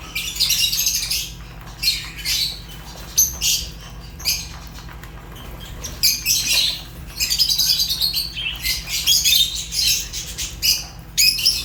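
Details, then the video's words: Fischer's lovebird chirping: bursts of shrill, high, scratchy chirps and squawks in irregular clusters, some brief gaps between groups, a steady low hum underneath. "African lovebirds chirps sounds | تغاريد فيشر غندور روز"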